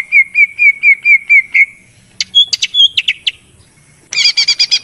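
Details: Greater green leafbird lure song: a row of seven rising whistled notes, then scattered sharp chips and slurs, ending with a fast burst of buzzy repeated notes.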